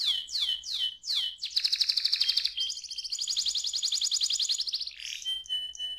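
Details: Young canary singing: a few looping downslurred whistles, then a long rapid buzzy trill that shifts pitch partway, ending in short clipped high notes.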